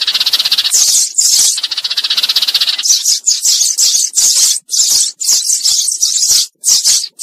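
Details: Lure call of a Eurasian tree sparrow summoning its flock for trapping, opening with a dry, rapid rattle, then a string of short, bright, high chirps separated by brief pauses.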